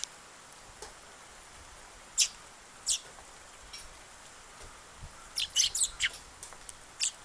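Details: A sparrow on 8 August, the first to arrive that day, recorded until it flew away: short high chirps spaced a second or so apart, then a quicker cluster of four or five notes, over a quiet hiss.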